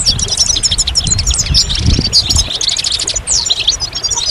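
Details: Goldfinch twittering loudly: dense, tinkling chirps and bright slurred notes follow in quick succession, with a pronounced downward sweep near the end and low noise below.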